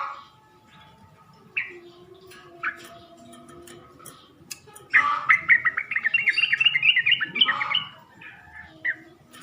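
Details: Sooty-headed bulbul lure call meant to make males respond: a few scattered short chirps at first, then a loud bubbly, rapidly repeated chattering run lasting about three seconds before fading to occasional single notes.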